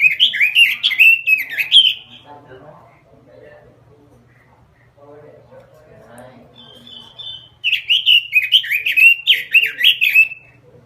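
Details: Energetic robin lure singing: a dense burst of tumbling whistled notes, a quiet stretch with soft chatter, a brief level whistle, then another rapid warbling outburst, with a faint low hum.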